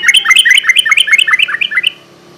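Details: A yellow-vented bulbul sings a lively, gurgling phrase of quick rising-and-falling chirps, steady for nearly two seconds. The recording is meant to draw and provoke untamed birds at night.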